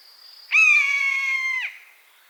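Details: One loud buzzard scream in its natural habitat, an even, nasal mew lasting just over a second that drops away at the end, preceded by a faint high whistle-like tone.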